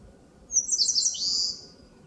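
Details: Eastern crowned warbler singing in forest on the slopes of Palbongsan, Seosan: a rapid run of high, sharp chirping notes that ends in a lower, buzzy, down-slurred phrase, loud and clear over a quiet low hum.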